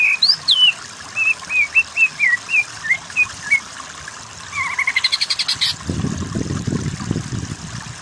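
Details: Greater green leafbird song used as a training recording for other birds: bright whistled upslurred notes repeated about twice a second, then a fast chattering burst, ending in low rumbling noise.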